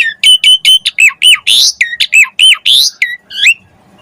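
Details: Chatty Asian pied starling singing as a lure to set other starlings singing, rich in fill-in phrases: rapid string of sharp rising and falling whistles mixed with a harsh rasp, then a brief pause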